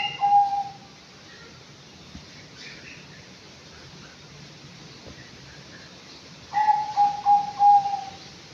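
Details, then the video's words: A five-month-old Anggungan in an aviary utters quick runs of four or five mellow whistled notes at the start and near the end. Other birds give soft high chirps in the quiet gap. "BURUNG ANGGUNGAN USIA 5 BULAN"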